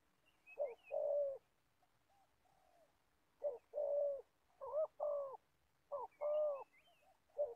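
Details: Spotted dove kept as an old decoy for trapping in Gia Lai gives low hollow coos in spaced groups, each short note run into a longer drawn one, with soft high twitters in the background.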